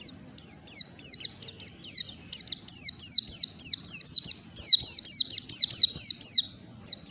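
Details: Pleci (white-eye) singing ngalas song at morning, a continuous stream of high, shrill, downward-sweeping whistles, closely packed and irregular, sustained throughout with hardly a break.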